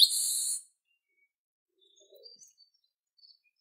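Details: Chestnut-capped blackbird giving a single short, raspy buzz, followed by quiet scattered chips and faint thin notes.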